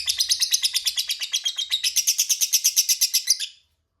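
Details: Lovebird chattering a long ngekek as a lure for rival lovebirds to answer: rapid, harsh, buzzy notes about six per second for three and a half seconds, then abrupt silence.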